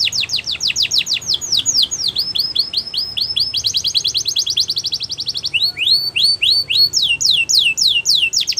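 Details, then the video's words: Canary song intended for canary training: continuous fast series of sharp downswept whistles, a dense trill, then slower looping upslurred notes, very regular and loud. "Best Canary Sounds !! Suitable For Canary Training"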